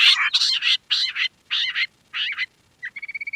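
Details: Quail, described as a queen quail and called lohari locally, calling loudly with harsh, buzzy bursts in rapid pairs and groups about every half second, then a quick run of thin, clear, even-pitched ticks at the end.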